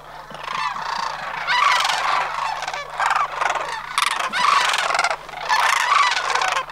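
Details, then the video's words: A migrating flock of sandhill cranes at Homer, September 2009, calls almost without pause: overlapping, gargling bugle calls from several birds swell into loud bursts every second or so. "Homer's Sandhill Crane Migration--September 2009"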